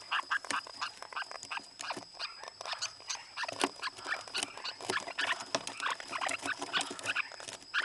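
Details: Lineolated parakeet in breeding season giving a dense, continuous run of harsh, scratchy chatter and short squawks packed closely together for the whole stretch, with no clear pauses.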